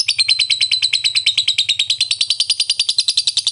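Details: Lovebird in the fighter ngekek style with ngetik notes, used to provoke silent lovebirds to answer: a fast, rapid-fire run of sharp high chirps repeated about three times a second, steady and unbroken, with a faint low hum behind.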